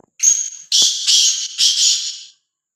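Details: Black francolin, described as free-roaming and fearless, delivering a loud, harsh, grating call of four rasping syllables run together over about two seconds, the first note carrying a thin whistled edge, then silence.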